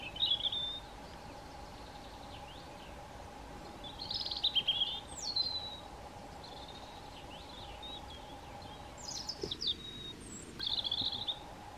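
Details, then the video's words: A European robin on a hiking trail in Meteora, Greece, sings short, high, thin phrases of trills and falling whistles, separated by pauses of a few seconds, over a steady low hum and background hiss. "The cheerful and melodic chirps of a European Robin"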